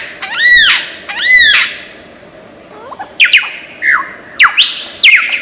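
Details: Lyrebird, a famous mimic of Australian forests, giving two loud arched, harmonic notes, then a string of quick falling whistles and sharp clicks.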